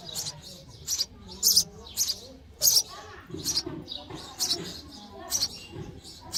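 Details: Sparrow chicks chirping for food while fed in the nest, a steady series of high, sharp chirps about twice a second with soft low background sounds.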